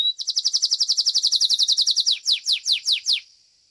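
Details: Domestic canary of the Belgian breed at a singing competition: a rapid, even trill of sharp high notes that slows into a few long, downward-sweeping whistles before fading.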